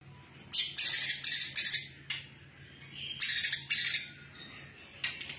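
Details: Female brown-throated sunbird singing vigorously, with sparrow-like material in its song: bursts of high, sharp chirps run in quick series. Short pauses separate the series, over a faint low steady hum.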